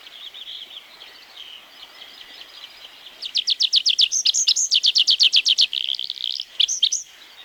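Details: Tree Pipit singing in the forests of Wielkopolska National Park. Faint background song for three seconds, then a loud rapid trill of sharp repeated notes that shifts into varied chirps and ends in short bursts.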